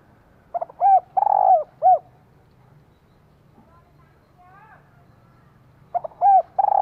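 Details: Female spotted dove calling to stimulate a male, kept as a decoy bird: loud phrases of short arched hooting coos with one longer coo, repeated twice with a pause between; faint murmuring in the gap.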